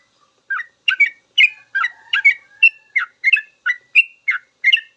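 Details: Sooty-headed bulbul singing a long full song used as a master recording for teaching cage birds; bubbly whistled notes, often paired, dropping and rising, about eleven phrases in quick succession with no other sounds.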